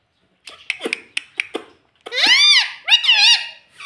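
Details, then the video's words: Pet parrot trained to speak, including "mummy": several sharp clicks and taps at first, then two drawn-out, high, nasal speech-like phrases that arch up and down in pitch, indoors. "Talking Parrot Mitthu Mitthu Tota || Mummy Mummy Bolne Wala Mitthu"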